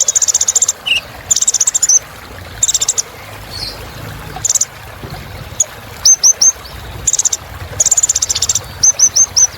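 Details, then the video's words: High-pitched sunbird (kolibri ninja) song used as a filler track to liven birds: buzzy trills alternate with short series of three or four quick upslurred whistles. "Suara Kolibri Ninja Isian Mewah Bikin Burung Semangat"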